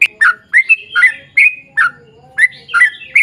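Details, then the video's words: Sooty-headed bulbul in long rapid-fire 'ropel panjang' song, used as a lure to set other bulbuls singing: bubbly, slurred notes dipping and rising, grouped in short bursts of two or three with brief pauses between. "trucukan gacor ROPEL PANJANG buat pancingan trucukan agar bunyi"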